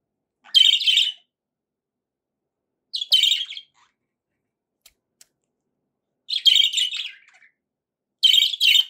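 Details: Budgie giving four separate short bursts of bright, scratchy chirping, each under a second long, spaced by quiet gaps of about two seconds.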